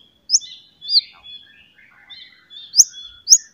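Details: White-rumped shama song used to spur other shamas to sing: sharp high whistled notes and softer warbling, with brief quiet gaps between phrases.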